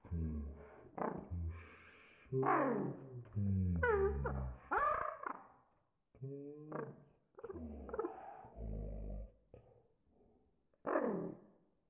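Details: A male pet sun conure (Aratinga solstitialis) gives enthusiastic greeting squawks as his owner returns home. The recording is slowed down, so the calls sound deep, drawn-out and groaning, in uneven bursts.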